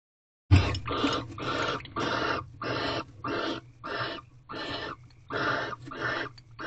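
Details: Barn owl pair in an owl box at a corral during mating, the third night in a row, 19 February 2023 at 10:28 pm; the male returned with a large rodent. Harsh, raspy hissing bursts repeat about once a second over a low steady hum.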